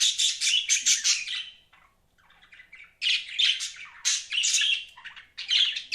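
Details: Budgerigars kept as pets chatter in loud bursts of buzzy, scratchy squawks and warbles, with a quieter lull in the middle before the chattering resumes.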